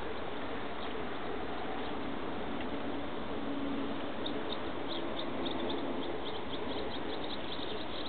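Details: Barn swallow fledglings leaving the nest on 3 June, beside the Miyako River branch at Hoshikuki, Chiba City: a quick run of thin, high chirps in the second half, partly buried under a constant loud rushing noise.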